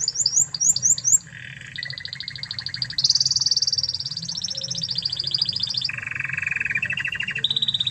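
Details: Master recording of an original Spanish Timbrado canary from Spain for training other canaries: quick downslurred whistles, then a series of long rolling trills stepping high then low, each tour lasting about two seconds.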